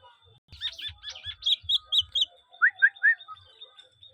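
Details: A kept talking common hill myna, close to its owner, gives a burst of loud high chirps in quick succession, then three clear rising whistled notes, with faint low thumps underneath.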